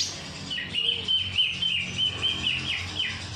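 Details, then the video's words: Cucak ijo song with kapas tembak filling: steady high whistled notes repeated about four times a second, some bending downward, with a soft low hum beneath. "CUCAK IJO ISIAN KAPAS TEMBAK"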